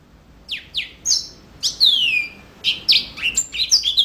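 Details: Yellow-fronted canary song: bright descending whistled slurs delivered in bursts, a long falling sweep near the middle, then quick chirping notes and high thin whistles closing the phrase.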